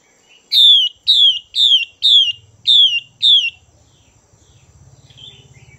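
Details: Female Chinese hwamei calling to excite males: six bright descending slurred notes at a steady pace of about two per second, followed by a low pulsing hum and a faint distant note.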